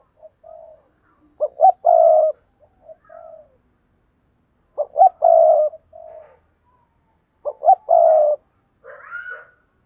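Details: Spotted dove kept as a lure bird, cooing in a rousing style: three phrases, each two short clipped notes then a long, mellow, low coo, with soft trailing coos between. Quiet background.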